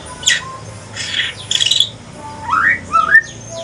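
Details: Aceh pastol white-rumped shama, mutated, in evening song: harsh rasping bursts followed by rising whistled slurs, with faint background noise.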